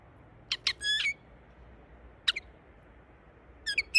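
A linnet gives short bursts of bright, twittering, metallic notes in quick clusters, separated by pauses of a second or more, against a quiet background.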